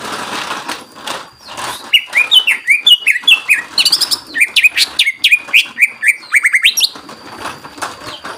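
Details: Greater green leafbird singing to excite other birds over a hissy, noisy background with some flapping: a lively chain of varied, sliding whistles and chirps running several seconds, then fading.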